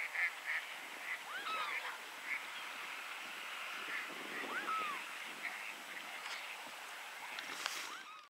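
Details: Velvet scoter calls at Rawa Mazowiecka: several clear arched, whistled notes rising then falling, set over a dense, continuous chatter of many waterbirds, with a brief louder burst near the end.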